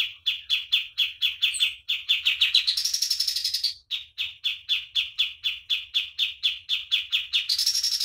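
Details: Lively pied triller master song for bird training, rapid pulsing chips around four per second with two climbs into shrill, higher-pitched rolling phrases, then a return to the steady beat.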